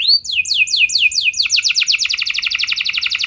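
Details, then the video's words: Canary song for prompting other canaries to sing: opening curved whistled slurs accelerate into a rapid, even, buzzy roll of notes repeated many times a second. "Pancingan Burung Kenari Biar Ikut Gacor Ngeroll Panjang! Pasti Nyaut Kenari Mana Saja Dengan Ini"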